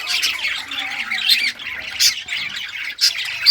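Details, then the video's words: A group of rare-coloured budgies at play with toys on June 18, 2023, giving rapid high chirps and scratchy warbles, punctuated by a few sharp, loud clicks. "Budgies all rare colors playing and chirping sounds playing with toys"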